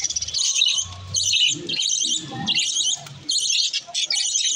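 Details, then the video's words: Green lovebirds giving dense, harsh, high-pitched squeaky chatter in about five rapid twittering bursts with brief pauses between them, over a faint low rumble. "green love birds sunds"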